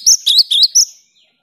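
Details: A vocal cinereous tit whose song is used to stir silent caged tits into singing; four loud ringing whistled notes in quick succession, each with a brief upward flick, followed by a faint soft note.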